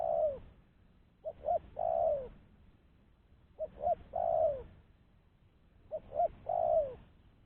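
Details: Spotted dove lure call, clean and used to attract doves for trapping, from a bird no longer timid: repeated low phrases about every two and a half seconds, each two short hoots and a lengthy descending coo.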